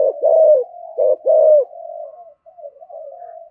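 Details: Spotted dove in 'thổ'-voice cooing, used to stir doves to call. A few deep, rounded coos open the brief stretch, followed by quiet, wavering low murmurs.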